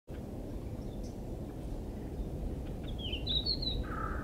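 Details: Red-flanked bluetail song: one short, bright warbled phrase that rises slightly comes late in the recording, followed by a brief steady note, all faint over a constant low rumble of background noise.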